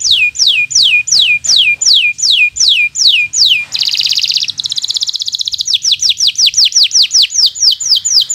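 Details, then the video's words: A local bottle-green canary sings rapid repeated falling whistled notes, then a dense buzzy trill and a fast run of bright sweeping notes, used as a tutor song for young birds learning to sing. "Suara Burung Kenari Gacor Cocok untuk Pancingan Burung Belajar Bunyi"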